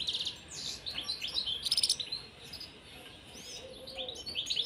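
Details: European serin, a pair kept in a cage, singing a rapid, high jingling song of short buzzy and metallic notes in quick bursts, with a brief pause midway before the twittering resumes.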